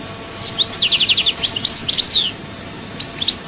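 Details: European goldfinch singing at Souk Ahras, Algeria: rapid tinkling, twittering phrases of high chirps and sliding notes over about two seconds, then a few isolated high notes, against a quiet background.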